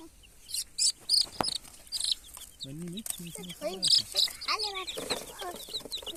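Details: Crying baby chicks give scattered high peeps, joined midway by a run of lower, stacked, wavering calls, with bright clicks and bumps throughout.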